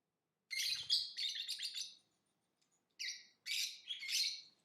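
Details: Lovebird singing and chirping, with a loud run of harsh, buzzy, chattering chirps, a pause, then two further bursts of shrill, rasping notes; a faint low knock at the start.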